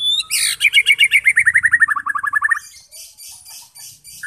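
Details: White-rumped shama song meant to provoke fighting birds into singing: a fast descending series of rich, rolling notes about five per second, ending in softer scratchy phrases and a brief whistle.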